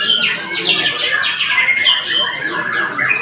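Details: Short burst of white-rumped shama song: bright slurred whistles and scratchy notes tumbling one after another with no pause.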